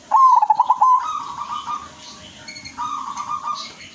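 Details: Zebra dove of the silver variety singing in a lively, rich rhythm: a rapid stuttering run of clear mid-pitched notes, then a sustained rolling coo, a pause, and another rolling coo.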